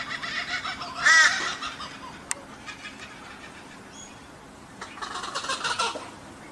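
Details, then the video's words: A laughing kookaburra in Australia gives a loud, raucous cackle, then a quieter, rolling chuckle of harsh notes, over a steady hiss. "The laughing sound of Kookaburra"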